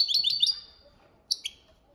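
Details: European goldfinch performing the copia Malaga training song: a rapid rolling trill of sharp high notes for half a second, a pause, then two quick bright chirps.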